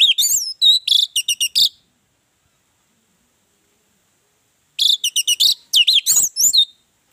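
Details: Orange-headed thrush song used as a lure to get other birds singing: two bursts of rich, varied whistled and chirpy phrases, high and fast, separated by about three seconds of silence.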